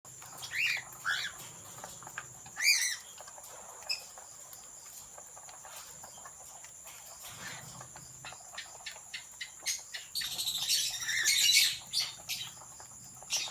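Cockatiels chirp and whistle in short bright notes over a steady high hiss and low hum.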